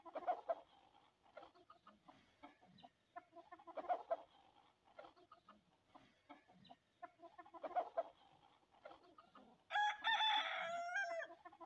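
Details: Hens pecking at sesame give clustered bursts of soft clucks every few seconds, then a sudden loud, drawn-out harmonic squawk near the end.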